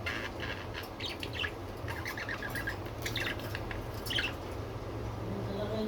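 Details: Pet budgerigars giving scattered short, high chirps and twittering notes in bursts, over a steady low hum of background noise.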